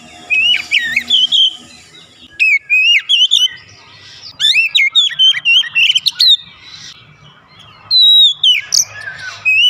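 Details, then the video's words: Oriental magpie-robin (kacer) singing a therapy song meant to make a lazy bird sing: bursts of loud, varied whistled phrases with sharp slurred notes, separated by short pauses, repeated three times. "terapi Kacer malas bunyi sudah pasti langsung gacor"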